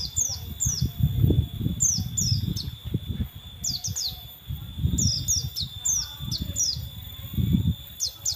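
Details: Singing male oriental white-eye delivering repeated clusters of piercing, high, quickly descending tweets, some doubled, spaced across the passage, with strong low rumbling background noise and a steady faint high tone throughout.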